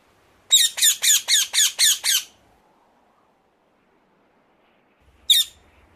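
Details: A rose-ringed parakeet gives seven harsh, screechy squawks in quick succession, then one more after a pause.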